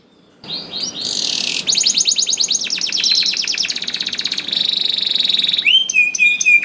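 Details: Canary singing hard, played to stir silent canaries into song: starts after a moment of quiet, then dense buzzy trills, a fast pulsing roll, a held whistled note and clipped high chips at the end.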